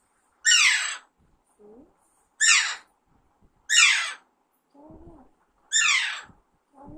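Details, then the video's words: Baby Alexandrine parakeet kept as a pet since young, being trained to talk, gives four loud raspy falling screeches at irregular intervals, with soft lower murmuring notes between them. "Alexander parrot natural sound"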